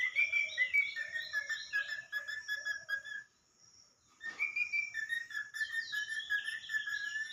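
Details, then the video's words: Pet talking parrot sings with busy, warbling whistles, rising and falling in quick series with a soft lower repeated note beneath, then a short silence before another run of slurred whistled phrases. "Talking Parrot"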